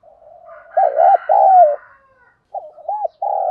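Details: Decoy spotted dove cooing to attract rival wild males. Two throaty coo notes, wavering and then falling, follow a soft lead-in, then shorter coos rise again at the end.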